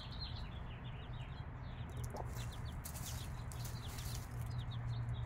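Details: Chicks aged five days with their mother hen: bright, short, falling peeps repeated in quick clusters, one brief low cluck, and a steady low hum underneath.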